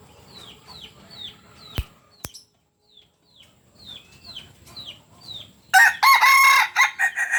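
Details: Kukuak Balenggek chicken, red-hackled, landiak crow class, originally from Solok in West Sumatra: small birds give repeated falling chirps, two sharp clicks, then the rooster bursts into a loud harmonic multi-part crow.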